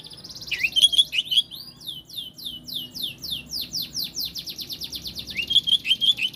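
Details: Oriental magpie-robin with a few piercing notes, then a long rapid series of about twenty descending swept whistles, finishing with more ringing notes.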